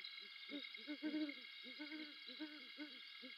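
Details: Female and male great horned owls calling back and forth on a fairway branch at 3:55am in December before mating; soft low hoots stacked in quick overlapping groups, some slightly longer notes, steady background hiss.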